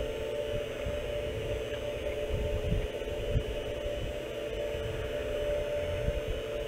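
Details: Steady electrical hum with low, irregular rumbling and thumping; no animal voice is heard.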